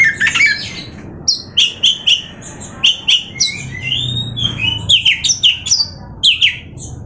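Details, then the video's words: Caged Oriental magpie-robin singing indoors: a varied run of loud, sharp whistled and chattering notes, many short bursts in quick succession with some rising slurred phrases. "awas Kacer nya jebol emosi dengar suara Kacer ini‼️"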